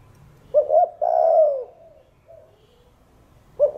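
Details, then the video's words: Spotted dove in the 'thổ đồng' voice style, cooing to stir other doves into song: short hooked notes, then a long, low, smooth coo that slowly falls, then quiet, with another clipped note at the end. "Cu Gáy Giọng Hạp Bổi THỔ ĐỒNG Đủ Bài [ GÁY GỌI + THÚC + GÙ ] Kích Bổi Gáy"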